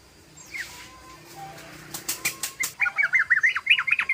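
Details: {'caption': 'Wing flapping and sharp clicks open, then a sooty-headed bulbul breaks into a fast ropel run of bubbly, rapidly repeated chirps.'}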